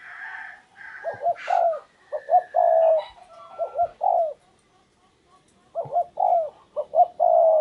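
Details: Spotted dove used as a decoy to lure a wild dove, cooing in short bursts of two or three low, hollow, rounded notes followed by a longer drawn coo, phrases repeated with brief pauses; faint higher bird chirps behind.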